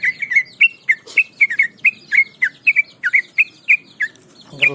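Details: Hand-held pet trucukan (Yellow-vented Bulbul), a formerly skittish bird that is now very tame, keeps singing in 'ngebram' style. It gives a quick string of clear, liquid whistled notes, each sliding down then up, with a short rustle at the end.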